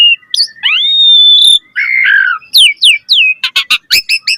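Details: Asian pied starling in varied 'gacor' song used to stimulate other starlings: a long rising-then-level pure whistle, a buzzy warbled phrase, sharp downward-swept notes, then rapid clipped chirps and clicks.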